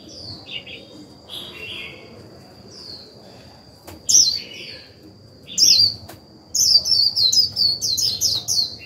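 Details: White-eye used as a decoy to trigger other birds' 'líu' singing. Scattered high sliding notes build into a rapid, excited run of sharp twittering notes repeated several times a second at the end, with a steady high whine behind.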